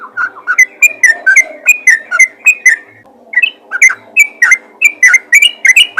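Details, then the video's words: Yellow-vented bulbul in 'ropel' calling toward other bulbuls: quick bubbly whistled phrases, a short pause near three seconds, then another run of bright notes ending on a rising slur. "panggilan burung trucukan ropel gacor memanggil trucukan lain"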